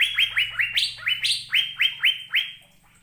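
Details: Asian fairy-bluebird, recorded as a training song to prompt caged birds to sing: a fast run of about a dozen upward-sweeping whistles, a couple pitched higher, over a soft low hum.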